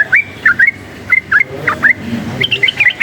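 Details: Wild sooty-headed bulbul, agitated by noise, giving clear, liquid two-part whistled notes in small clusters separated by brief pauses, ending in a faster bubbling run; quiet low hum underneath.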